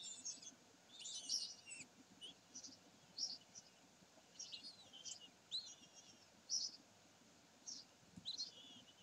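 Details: Series of high, thin, quavering squeaks and chittering notes from common kestrels at Sägeweg, 27 May 2020, scattered through nine seconds with brief loud peaks and quiet gaps.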